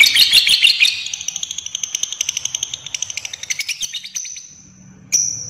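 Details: Fighter lovebird ngekek trill for luring and tutoring other lovebirds: a loud, shrill chattering burst that slowly fades into softer pulses, followed by a short pause and a thin sharp whistled note.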